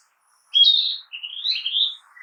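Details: Forest song of a Narcissus flycatcher: a loud, rich high whistle followed by a flowing series of warbled notes rising and falling, ending with a softer lower note, no background noise.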